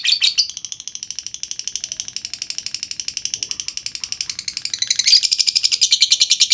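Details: Lovebird ngekek trill played to make other lovebirds sing: an unbroken, rapid chattering buzz across more than six seconds. It thins slightly in the middle, then grows louder and denser toward the end.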